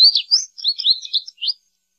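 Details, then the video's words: American goldfinch twittering a quick run of about eight high, sweet notes, some sliding and some buzzy, bunched into a two-second phrase with brief gaps and no other sounds. "American Goldfinch Song! American Goldfinch Call! - Jilguero Americano canto - Carduelis Tristis"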